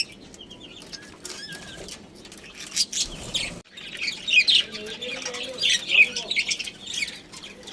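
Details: Chirping from a budgerigar breeding pair: quieter scattered twitters at first, then a louder run of rapid warbled, buzzy chatter after a short gap.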